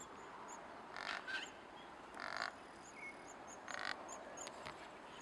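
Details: Cape Barren goose, Australia, 12 January 2019: three rough, grating honks, each under half a second, spaced one to one and a half seconds apart. Thin, high chirping comes from the background.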